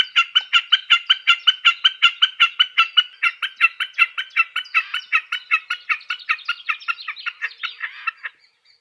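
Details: Common snipe singing in spring: a steady, rhythmic run of hard, clucking 'chip-a' notes, about four or five a second for eight seconds, with no other sounds.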